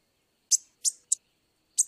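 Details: Black-and-white warbler (Mniotilta varia), song.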